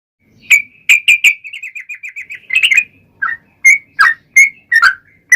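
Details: Yellow-vented bulbul in full song, a long rolling trill style used as a lure to make other bulbuls answer: bright chirped notes, then a quick run of about ten even beads, then more separate bubbly notes.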